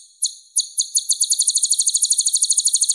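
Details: Kolibri ninja, the purple-throated sunbird Leptocoma sperata, singing cleanly for a masteran recording: a few spaced, sharp high notes that quicken into a fast, even, glittering trill.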